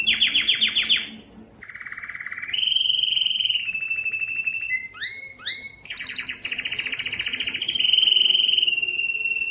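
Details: Yellow canary singing a varied sequence: fast pulsed notes, low buzzy roll, long level trill, quick rising chirps, then bright rapid trills settling into a sustained warble.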